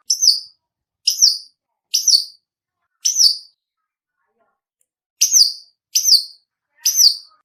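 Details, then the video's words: Long-tailed shrike learning to copy the sounds of chicks: short, sharp high-pitched chirps with a downward tail, given singly about once a second, with a pause midway before resuming, on a silent background. "Suara burung cendet belajar bunyi piyikan"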